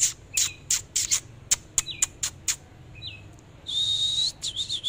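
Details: Oriental magpie-robin singing during a dancing display; sharp clicks open the clip, then short rising whistles and a sustained, high, slightly wavering whistle near the end.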